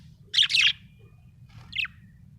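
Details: Budgerigar chirping happily, two bursts: a loud scratchy warbled chirp followed after a pause by a shorter descending chirp, low background hum throughout.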